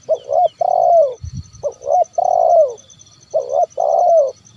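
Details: Call of a zebra dove, played to make wild and idle birds start calling: three quick phrases of short coos and a long rolling descending note, close and loud, with a soft thump between.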